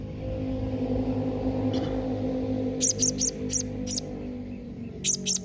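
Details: Blue-crowned hanging parrot giving a calling sound meant to make other hanging parrots answer; short, very high, sharp notes in scattered groups over a steady low hum.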